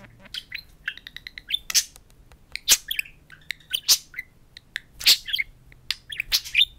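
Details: Two pet budgerigars, a talking pair, chatter at a mirror: bursts of high chirps, clicks and squawks, some scratchy, with short gaps between them.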